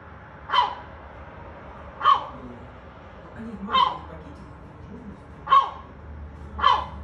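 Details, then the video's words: Gull imitating a dog, barking like one: five abrupt, rasping barks at uneven intervals of about one to two seconds, with soft low grunting sounds between the barks. "Seagull barks like a dog"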